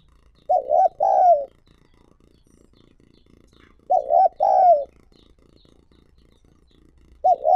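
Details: Spotted dove calling to draw in wild doves: hollow cooing phrases repeated about every three seconds, each a double-humped coo and a longer falling note, with a third phrase beginning at the end.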